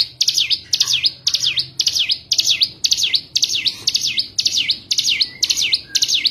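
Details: Cigun song played as a lure to restart a silent bird's singing: a steady run of bright, high chirps, each sweeping down then up, repeated about twice a second over faint background hum.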